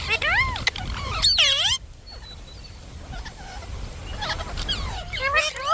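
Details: Talking Indian ringneck parakeet kept as a pet: a burst of loud, wavering, raspy syllables in the first two seconds, then a long quiet stretch with faint chatter and a soft return of calls at the end.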